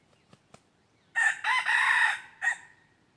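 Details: Two faint clicks, then a red junglefowl gives a full crow: a short hoarse opening, an extended raspy middle and a brief final note. Decoy-luring of wild junglefowl, 23 January 2022.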